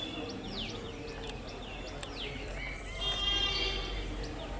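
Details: A bulbul in a garden gives quick, bright chirps, some sliding down and some rising, about three per second, over steady low background noise and a faint murmur.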